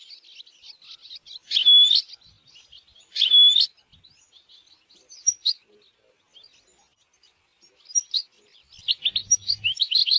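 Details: Wild-setting European goldfinch song: soft twittering broken by two loud, buzzy, nasal notes, then tinkling phrases building into a fast, jangling chatter at the end.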